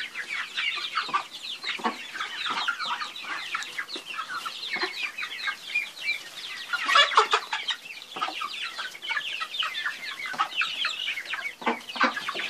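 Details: Many chickens call at once, making a busy, unbroken chorus of thin high chirps. Scattered low clucks are mixed in, and a louder burst of calling comes around the middle.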